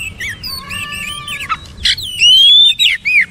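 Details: Song of an Oriental magpie-robin: soft warbled and wavering notes, a harsh burst, then a loud, clear rising whistle and several ringing downslurred notes.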